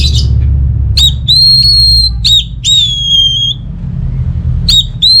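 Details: Orange-headed thrush, played to coax reluctant birds into song: long clear whistled notes, some dipping and sliding downward, separated by short clicks, over a low rumble.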